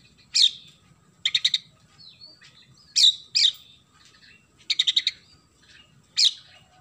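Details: Loud, vigorous Oriental magpie-robin song packed with sparrow-like material. Sharp descending chirps alternate with rapid rattles of four to five harsh notes, repeated several times within seven seconds against faint low rumble.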